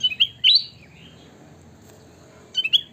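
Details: Kutilang emas (sooty-headed bulbul) in full song: a quick, liquid, gurgling phrase of upslurred whistles, a silent gap, then the same bubbly phrase starting again, over a faint low background murmur.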